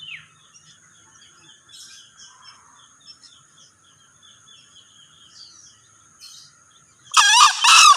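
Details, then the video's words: Male green junglefowl crowing: two loud, harsh, harmonic bursts at the end, after a quiet stretch of high thin insect-like tones and faint scattered chirps. "Suara Ayam Hutan Hijau(Jantan)"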